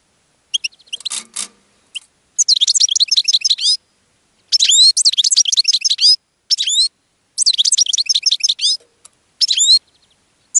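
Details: Caged European goldfinch singing to attract other goldfinches: bursts of rapid, high, tinkling twitters and buzzy slurred notes, each lasting one to one and a half seconds and separated by short pauses.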